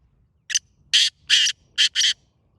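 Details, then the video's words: Grey francolin call used to attract other partridges: five loud, harsh, shrill bursts in quick succession, the first short and the rest longer, with a near-silent background. "Sirf 6 Awaz Sunain Din Bhar Teetar Bulain"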